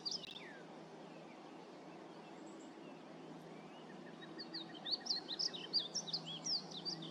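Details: Painted bunting song: one downslurred note opens, then after a quiet gap a rapid tumbling series of high, sweet warbled phrases fills the final three seconds, with low steady background noise.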